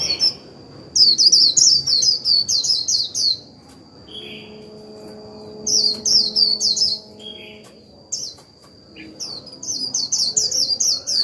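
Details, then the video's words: Decoy Japanese white-eye in a cage performing 'líu' singing to stimulate other birds: repeated fast phrases of piercing, high, downward-slurred chirps about four per second, separated by short quiet gaps and brief lower notes. "Khuyên mồi líu vừa phải kích bổi líu ngay!"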